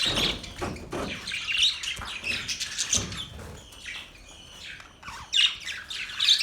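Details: Budgies chatter in bursts of high, squeaky chirps and warbles, with brief quieter pauses between outbursts.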